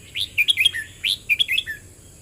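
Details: Red-whiskered bulbul singing in the 'boen rik' song style: two quick bursts of bright, chirpy whistled notes, each phrase opening with a rising note and ending on a lower slurred whistle, about half a second apart, against a faint steady high hiss.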